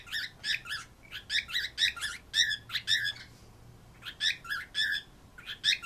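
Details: Pet birds at home calling toward the family dog: bursts of harsh, squeaky chirps in quick clusters, several per second, with a short pause midway before the chatter resumes.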